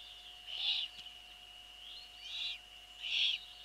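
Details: Eurasian eagle-owl at the nest, 28 April 2013 at 21:12, as the female brings a bird and begins feeding the young: three short raspy hissing bursts about a second apart, over a steady electronic hum.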